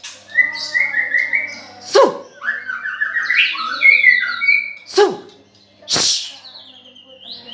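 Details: White-rumped shama, nine months old, singing loudly: whistled phrases of rapid rising and stepped notes, broken by several sharp loud clicks or knocks; a faint low hum runs beneath.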